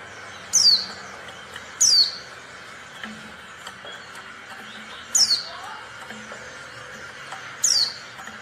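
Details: Female Oriental white-eye call meant to provoke quiet males into singing: four sharp, very high notes, each sliding quickly downward, spaced irregularly one to three seconds apart, with soft low murmuring in the background.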